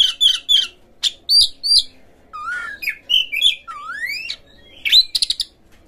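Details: Oriental magpie-robin song used as a lure to make magpie-robins open their tails, sing hard and fight: varied high whistled phrases, sharp chips, and long rising slurred whistles in bursts separated by short pauses.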